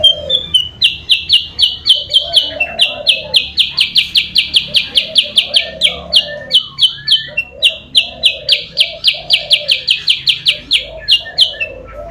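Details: Sooty-headed bulbul lure call used to draw rivals closer: a long, fast run of bright, clipped high notes, about four per second, with brief pauses, over soft low cooing in the background.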